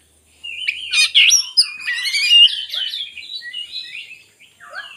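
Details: Oriental magpie-robin singing, used to stir quiet birds into song: after a brief silence, a rush of bright whistles and chattering notes, then softer, lower slurred phrases.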